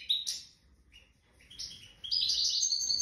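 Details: Wild goldfinch reared from the nest singing in the wedani style: a few high thin chirps, a pause, then a dense run of bright twittering notes toward the end.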